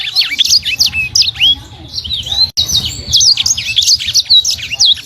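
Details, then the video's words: Small imported sanger pouring out a fast, jumbled song of high whistled slurs and chirps, with a soft low rumbling background and one brief break halfway through. "SANGER SUPER GACOR, BURUNG ORIGINAL IMPORT!! 💥 Kecil Tapi Suaranya Pedess, Full Tembakan Rapat"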